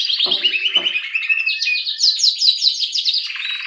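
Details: Canary song of chattering trills and high repeated chirps, followed by a rapid lower rattle; two faint low clicks early on.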